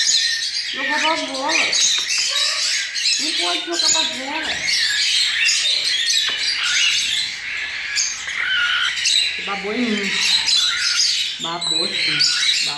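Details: A group of young cockatiels, fresh from the nest, being hand-fed porridge. They keep up an unbroken, hoarse, hissing begging noise, while a person talks in short bursts throughout.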